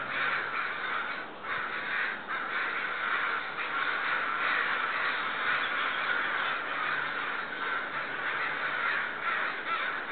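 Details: Neighbourhood crows, agitated or upset about something, raise a loud, continuous cawing: harsh, grating calls stacked densely together, swelling roughly twice every second for ten seconds without a break.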